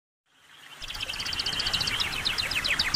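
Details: A pet canary sings a fast, high run of bright chattering notes with rapid trills and rolling song, over a low background hum.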